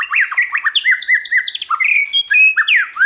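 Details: White-rumped shama in a multi-voiced training song meant to excite birds: dense run of sweet slurred whistles and quick chopping notes, loud and continuous throughout, no other sounds.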